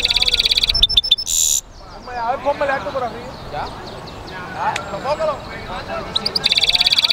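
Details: European goldfinch mule delivering quick high trills and a harsh buzz, a pause filled by soft chattering of other birds, then resuming its rapid trilled song.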